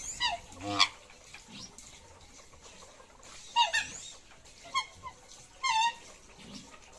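Mandarin ducks give short, nasal, rising whistled calls in scattered bursts of one or two notes, several seconds apart, over a faint background hiss.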